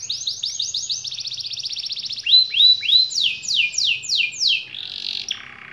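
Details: Canary song played to get other canaries singing: a quick rolling trill, then loud rising-falling arched notes and descending sweeps, ending in a buzzy tone.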